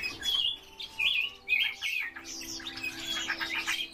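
A Yellow-breasted Bunting sings bright, high, clear whistled phrases with some buzzy notes, delivered in quick bursts, with other birds chirping faintly behind.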